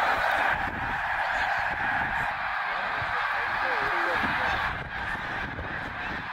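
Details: Snow geese gathered by the tens of thousands at Middle Creek, Pennsylvania, on 2023 migration; a thick, constant clamour of overlapping honks, loudest at the start, with a few distinct lower calls near the middle.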